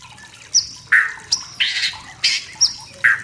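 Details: Wild forest white-rumped shama singing to provoke rivals, giving short separate phrases of harsh, buzzy squawks mixed with high sharp whistles, about eight bursts in quick succession.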